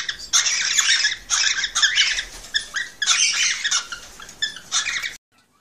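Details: A male cockatiel sings excitedly to move a female toward mating: continuous grating, squeaky chatter in longer bursts with short breaks, ending abruptly in silence.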